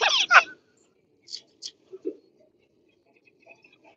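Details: Pet zebra finch giving one loud, nasal, buzzy call at the start, followed by a few faint, short chirps and quieter notes scattered through the rest.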